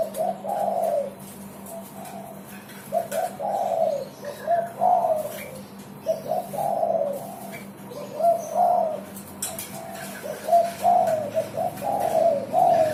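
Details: Spotted dove song, used as a lure for other birds: low rolling coo phrases repeated through the recording over a steady low hum and broadband rustling background noise.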